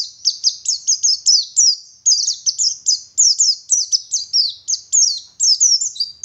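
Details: Oriental white-eye, a local bird from Garut in West Java, delivering a continuous stream of high, bright, falling whistled notes in quick regular pulses, with one short gap midway.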